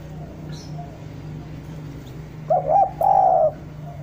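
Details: Spotted dove, a bird used as a lure for wild doves, giving one song phrase after a low steady hum. The phrase is two short coos and then a long, even coo.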